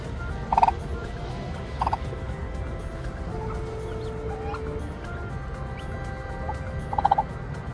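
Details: Natural hatching of Korean turkey chicks: three separate short rasping bursts at the start, middle-start and end, with a faint drawn-out tone between them and a steady low hum throughout.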